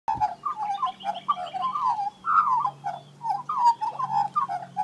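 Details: A wild female Australian magpie of the Western race (Gymnorhina tibicen dorsalis) warbles rambling, gurgling and whistled notes, mimicking other birds while tugging grass for her nest, over a steady low hum.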